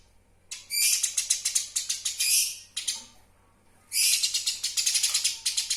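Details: Eurasian tree sparrow calls meant as a master recording for songbird training: two long runs of quick, harsh, high-pitched chirps, each note clipped and rapidly repeated, separated by a short pause.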